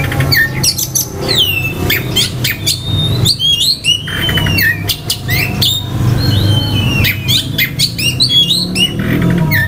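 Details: Oriental magpie-robin song meant to stir other males' aggression and breeding urge: a rich, varied stream of loud whistles, sweeping slurred notes and sharp clicks, delivered almost nonstop over a steady low rumble.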